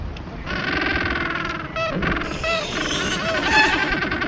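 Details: King Penguins give loud, harsh, trumpeting calls: a long buzzy blast, then several shorter warbling, wavering phrases that overlap, as from a crowded colony.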